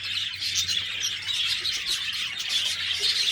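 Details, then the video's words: A group of budgerigars keeps up steady high-pitched chirps, squeaks and thin whistled notes, busy and unbroken throughout with no pauses. "Budgies Birds talking sound Birds chirping sounds"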